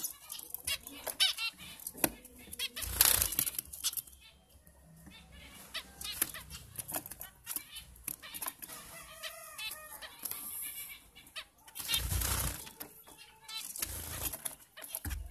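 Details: Captive breeding zebra finches give short, nasal, tooting calls amid busy flapping of wings.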